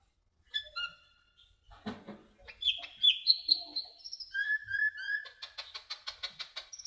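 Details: Sunbird, called konin or kolibri ninja, in a tutoring song recording: varied high whistled notes and rising slurs, then a fast, even run of rapid chirps near the end.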